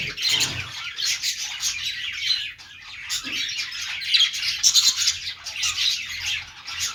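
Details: Several pet budgerigars chirping and singing, described as a happy sound, producing a steady wash of high chatter, trills and squeaky notes, with a short dip in activity near the middle before the chorus resumes.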